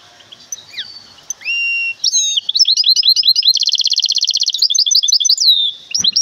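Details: Caged goldfinch hybrid from Temara sings a lively high-pitched phrase that opens with drawn-out whistles, then moves into a rapid rattling trill and bright chattering twitters, ending with a short sharp note.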